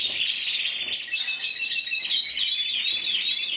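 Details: Intense yellow canary, Spanish champion of 2014 scoring 94 points as an individual entry, singing a continuous high warbling song of rapid trills and looping whistled phrases, rising and falling, with no pauses.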